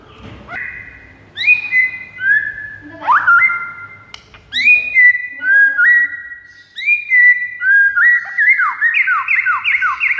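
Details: White-rumped shama song for luring rival shamas: varied clear whistles, some rising and some held flat, in separate phrases, ending in a quick string of repeated downward-slurred notes.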